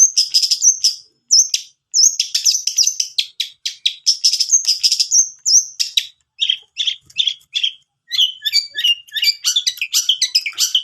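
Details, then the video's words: Long-tailed shrike song used as a lure to prompt a reluctant bird to sing: loud, rapid, varied chattering phrases of high chirps and short whistled notes, dense bursts broken by brief pauses. "Pancingan cendet malas bunyi"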